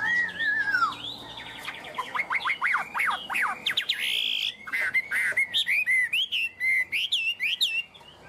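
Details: Tame caged Chinese hwamei singing: a falling whistled slur, then a fast series of sharp downward sweeps, a harsh burst, and clipped rising and falling whistles repeated in quick succession.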